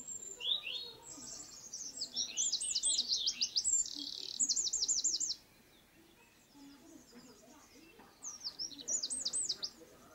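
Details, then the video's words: Eurasian wren song: a loud, fast cascade of very high trills and warbles with a short buzzy section, then about three seconds of quiet before another high trilled burst. "EL CHOCHÍN. CANTO Y ALARMA."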